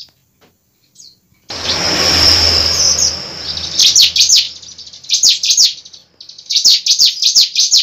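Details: Bar-winged prinia fighting song to make a bird sing: a loud hiss of noise at first, then sharp high chirps and quick buzzy trills in repeated clusters.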